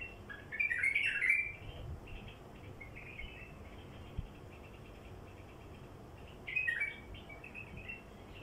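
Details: Wild bulbul song for luring wild birds: a bright bubbly phrase near the start and another after a quiet spell, set against a continuous hiss.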